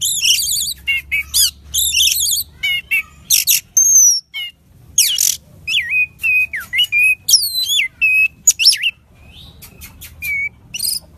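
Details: Orange-headed thrush song used as a lure to make a bird sing: loud, varied and jumbled, with fast repeated zigzag phrases, piercing whistles, warbled slurs and sharp chips over eleven seconds.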